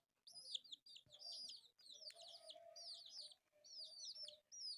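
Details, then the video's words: Pet chicks, four colourful young birds at play, giving piercing high-pitched cheeping notes that slide downward, repeated rapidly in dense bursts separated by short pauses, over a soft steady background hum. "My Pet Chicks Playing/4 Colourful Chicks"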